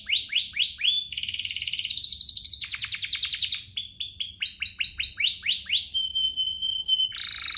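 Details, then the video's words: Canary singing as bait to excite other canaries: rising whistled sweeps repeated quickly, a dense rattling trill, steep falling chirp series, then clipped repeated notes and a long pure whistle before a final buzzy burst. "Pancingan kenari biar GACOR, kenari manapun langsung naik emosi habis dengar ini"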